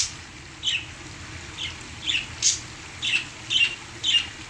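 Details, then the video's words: Several squeaky parakeet chirps, about seven in under five seconds, some with buzzy edges, given while the pet birds sing to waterfall sounds; steady hiss and low background hum. "My parakeets singing to the sounds of the waterfall"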